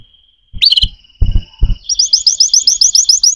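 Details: Canary singing: a few soft low thumps and a brief upslurred note, then a fast run of repeated rising whistled syllables, about four per second, bright and ringing to the end.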